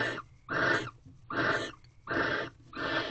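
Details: Barn owls mating in a nest box at a corral, late evening of 19 February 2023, the third consecutive night; the female pushed the male off and took his rodent. Rough, hissing screeches come in rapid, fairly even bursts.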